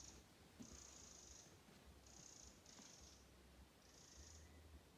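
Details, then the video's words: Eurasian wren giving frantic alarm calls in an alder swamp at Stornäset, Alnö, on 29 July 2022, perhaps at a roosting tawny owl: high, dry rattling churrs in half-second bursts, repeated four times over soft hiss and low rumble. "Gärdsmygens varnande läte"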